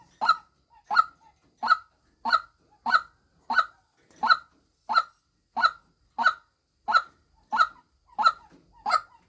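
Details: Female white-breasted waterhen giving a steady series of loud, nasal, honking calls, about fourteen in nine seconds, evenly spaced and clean against a quiet background.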